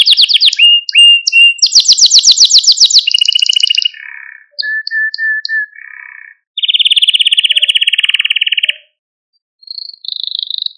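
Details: Male Maltese canary, singing to stimulate other canaries and train young ones: fast high trills, then soft lower whistled notes, a long buzzy rolling tour in the middle, and short high phrases to finish.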